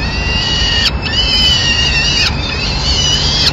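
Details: Peregrine falcon nest in Madrid, 25 April 2016, as the female feeds the chicks a pigeon she has brought. A few long, rasping, sustained screams, each lasting over a second and ending in a quick downward slur, with brief gaps between.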